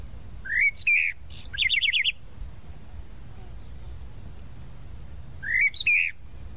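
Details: Tropical mockingbird singing: two bursts of varied phrases, rising slurred whistles then a rapid series of sharp repeated notes, a pause of about three seconds, then another rising whistled phrase; quiet background otherwise.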